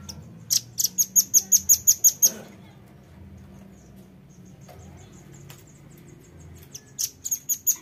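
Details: Velvet-fronted nuthatch lure call: a quick run of about eight piercing, high chip notes, then a pause with scattered faint ticks, then another fast chipping burst at the end; faint low hum beneath.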